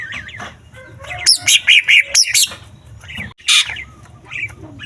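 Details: Green leafbird song packed with imitations of small birds, used to provoke other leafbirds into singing and to train contest birds; varied whistled and warbling phrases, then a rapid run of loud, sharp, evenly spaced notes, and a later bright burst.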